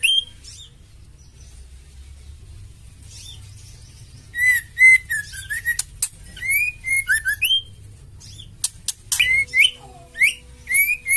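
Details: Female oriental magpie-robin, a fighter bird, calling to stir males to sing: after about four quiet seconds, a lively run of rich whistles, upslurred notes and crisp clicks follows in irregular bursts, with a faint low tone in the background.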